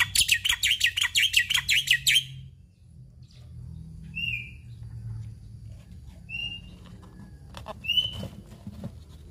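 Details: Black-winged myna singing an imitation-rich song that opens with a loud rapid rattling trill lasting two seconds, then gives spaced short downslurred whistles every two seconds against faint low background noise.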